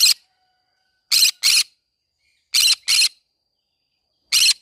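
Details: Green-cheeked conure in a flower garden repeating pairs of harsh, rasping screeches about every one and a half seconds, with single screeches at the start and end, in otherwise quiet surroundings.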